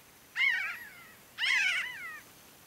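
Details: Two loud nasal, slightly quavering mew calls about a second apart from a pinyon jay flock foraging and in flight at Great Sand Dunes, San Luis Valley, Colorado, with a quiet background.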